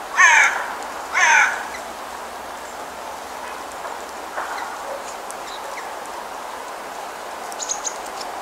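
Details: A Brambling (Fringilla montifringilla) in Almaty, Kazakhstan gives two harsh, nasal, drawn-out rasping calls about a second apart, then falls quiet; faint distant bird notes sound in the background.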